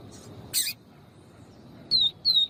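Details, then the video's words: Lined seedeater (papa-capim viviti), female calling, used to warm up males: a few sharp high notes, a buzzy burst then two thin, slightly falling whistles about a third of a second apart, over quiet background. "PAPA CAPIM CANTO VIVITI E FEMEA CHAMANDO PARA ESQUENTAR"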